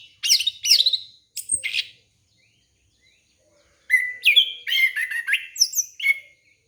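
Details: Orange-headed thrush song used as a lure for young birds: two bursts of bright, varied whistled and chattering phrases separated by about two seconds of silence.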